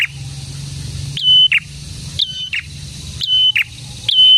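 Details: Vigorously singing prinia, locally prenjak tamu or prenjak merah, giving four high phrases: a snapped upward note, steady whistle and buzzy downward tail, repeated about once a second after a brief quiet start.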